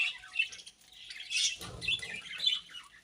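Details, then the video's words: Budgerigars eating grass, giving scattered high chirps and short squawky notes in bursts, with quieter gaps between and a faint low hum underneath. "Beautiful Budgies Grass Eating Chirping Sounds"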